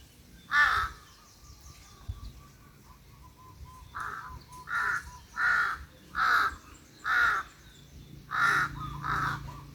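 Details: Crows calling near a little field hut in sun and breeze: a long series of harsh, hoarse caws, roughly one per second, with faint whistled notes between them.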